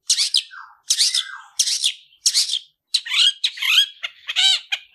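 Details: Training song of a Long-tailed shrike in 'tarung ngalas' fighting style: rough rasping bursts each ending in a lower slurred note, about one and a half per second, followed by squeaky, chattering, whistled phrases.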